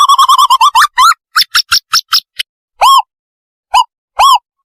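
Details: Owl lure call for trapping owls: a fast stuttering run of short clear notes, then slower separate notes, ending in three spaced, longer hoots that rise and fall, with a clean, quiet background.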